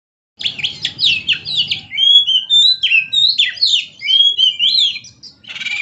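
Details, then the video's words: Oriental magpie-robin singing persistently while dancing: a fast, loud string of sharp whistled notes and downward slurs, varied and overlapping, with a faint low rumble at the start. "SUARA BURUNG KACER GACOR ISTIMEWA"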